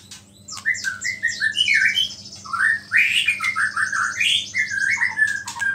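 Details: Chattering white-rumped shama song stuffed with small-bird imitations that provoke other shamas: rapid runs of rising and falling whistles and buzzy high trills, steady low hum in the background.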